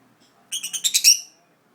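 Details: Uneasy pet budgerigar in an unfamiliar place utters one quick series of about six bright, buzzy chirps, rising in loudness, lasting under a second in a quiet room.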